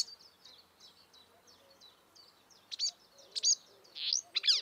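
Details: Wild marsh warbler singing. A faint run of short high chattering notes gives way to louder, sharply rising and falling whistled phrases in the last two seconds. Quiet low hum underneath.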